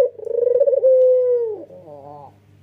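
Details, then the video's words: Single nodding 'ngangguk' coo from a male white Barbary dove with red eyes. A rapid throbbing pulse smooths into a long, level hollow tone that slides down, followed by a soft wavering burble. "BURUNG PUTER PUTIH MATA MERAH JANTAN GAGAH PERKASA"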